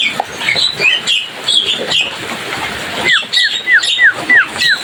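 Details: Javan myna (jalak kebo) singing a lively, rowdy song: scratchy chirps and squawks at first, then a run of about seven clear, downward-sliding whistles repeated quickly, roughly three per second.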